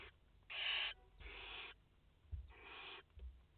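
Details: Barn owl mother and four chicks at their nest in France, 30 August 2021. Three fairly soft, harsh hissing calls about half a second each, with a few low thumps between them.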